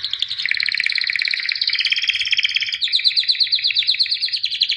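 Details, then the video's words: White albino canary, a championship singer, delivering a continuous rapid rolling trill that shifts pitch partway through, rich and buzzy throughout. "White Canary Singing (Albino)"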